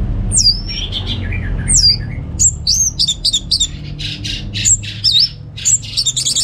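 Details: Orange-headed thrush from North Bali singing at home as a tutor for other birds: high downswept squeals and rasping notes mixed with quick chips and whistles, in short bursts over a low background hum.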